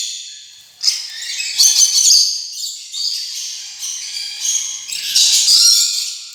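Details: Rainbow lorikeet calling in rapid, irregular grating screeches and squeals that run together into a noisy chatter, louder toward the end.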